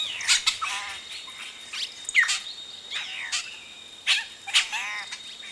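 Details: Yellow-rumped cacique chicks calling at close range as adults arrive at the nest; a busy jumble of harsh, sharp chips and ringing, stacked notes in quick irregular bursts, roughly one every two seconds, with other birds present.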